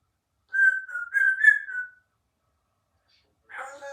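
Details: Three-year-old female Congo African grey parrot, kept as a pet in a country home, talking: a short run of whistle-like voiced syllables for about one and a half seconds, silence, then another brief voiced phrase.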